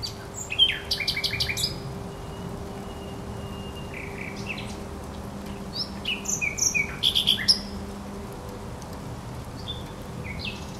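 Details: Thrush nightingale at the Żerań Canal, 24 April 2022, singing loud repeated click series and mid-pitched whistles, then a second burst of rattling notes, with a faint steady low hum behind.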